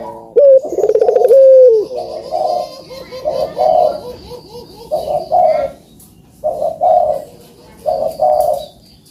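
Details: Puter dove heard as a lure for birds that are slow to sing. One smooth, drawn-out hoot opens the clip, then comes a run of short, hoarse, gurgling coo bursts with brief pauses between them.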